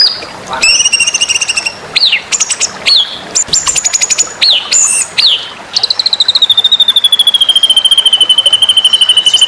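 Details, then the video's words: Contest-oriented white-rumped shama masteran: a varied run of sharp upward-sweeping whistles and dense rattling trill bursts, ending in a long steady high whistled trill that slowly falls in pitch. "masteran murai batu"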